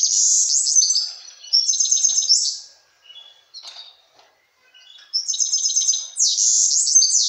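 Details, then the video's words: Excited European serin song directed at a female goldfinch: high, glassy, fast jingling phrases open and close the passage, with a quieter stretch of softer scattered chirps in between. "تغريد بسبوس هائج على أنثى حسون"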